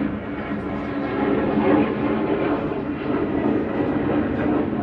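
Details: A steady mechanical rumble like passing traffic, with faint low voices and no clear animal calls.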